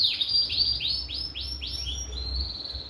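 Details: Caged canary kept for sale, singing a series of quick, high, downward-sliding whistles, about five repeated phrases, that end in a steady high trill. A low hum sits underneath.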